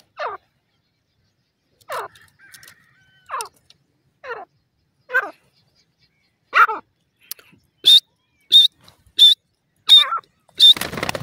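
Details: Grey francolin (teetar) in a forest, calling loudly: a series of sharp, downward-sweeping notes repeated about every one and a half seconds, then quicker, higher, thin whistled notes, ending in a burst of broad noise.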